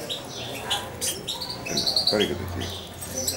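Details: Young European goldfinch, around two months old and hand-raised, with its owner nearby; quick high tweets and a short run of clipped notes, overlapping with human speech.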